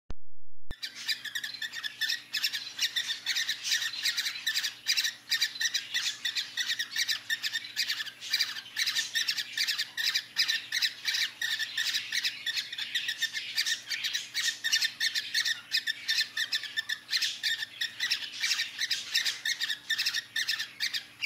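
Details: Cockatiel during mating, giving harsh, rapid squawking calls in dense, continuous bursts.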